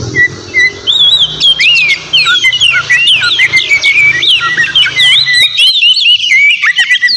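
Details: A lively kacer sings to bait a rival into answering, giving varied clear whistles, upslurs and downslurs with short chattering bursts. There is a faint low hum during the first half.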